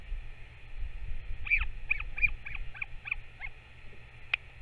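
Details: Parent Northern royal albatross back to feed its chick on 21 May 2024; a burst of about eight high, slightly rising chirps in quick succession, then a single sharp click, over soft wind.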